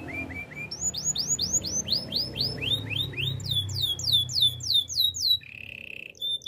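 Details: Canary song for training: a few low chirps, then repeated rising-falling whistled notes in a steady run, a higher fast series, and a closing flat rolling trill.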